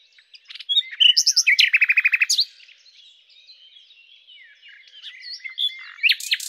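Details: Song of the common nightingale, Luscinia megarhynchos: varied sharp notes lead into a loud, rapid rattling series of identical pulses, followed by quieter warbling and a final burst of high strokes.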